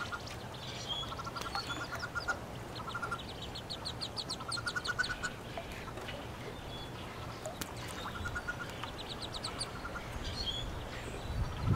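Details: Nest box holding 19 newly hatched Wood Duck ducklings and one Hooded Merganser chick, April 2013 nesting season; runs of thin, high, evenly spaced peeps repeat in quick bursts over a low steady hum.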